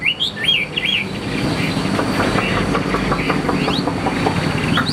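Chinese hwamei singing clear, looping whistled phrases that rise and fall quickly. A steady low rumble like traffic or a train runs underneath.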